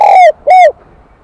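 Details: Spotted dove, a wild-caught bird with the high-pitched 'kim đồng' bell voice, giving two clear arched coos, each under a third of a second, with a short gap between them.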